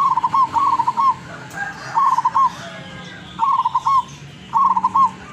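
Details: Loud, long-voiced zebra dove from the wild around Tuban, East Java, repeating short bubbling coo phrases about every one to one and a half seconds, five phrases in all, with soft background noise.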